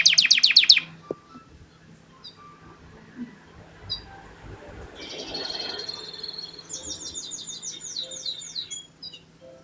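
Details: Singing canary: a short burst of bright, rapid trilled notes opens, then quiet with scattered chirps, followed by softer, buzzy high trills and a run of quick repeated sweeping notes toward the end.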